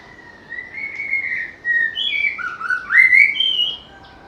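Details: White-rumped shama, a songbird that can imitate other birds, singing sweetly: a long level whistle, then a series of fluty phrases stepping up and down in pitch, with steady background hiss.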